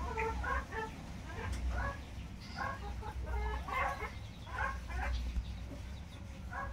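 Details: Several tinamou chicks give overlapping short, clear peeps, each a quick rich note, in a steady jumbled chorus over a low background hum.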